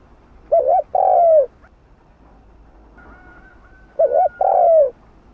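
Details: Hạp bổi style cooing of a spotted dove, meant to spur other doves into calling; two matching phrases about three and a half seconds apart, each a short double note then a longer falling coo.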